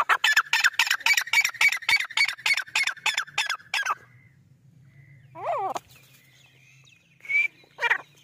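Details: Black francolin (kala teetar) in Rajasthan, India, gives a harsh, grating run of a dozen rapid clucking notes over four seconds, followed by a few scattered calls from other birds and a faint low hum.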